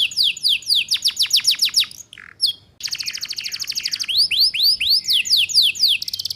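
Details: Canary, a female said to be in breeding condition, calling to lure males and used as a lure for young canaries learning the chattering 'ngeriwik' style. Fast high trills of downward-sweeping notes, a brief pause, then a steady rapid trill and rising slurred whistles.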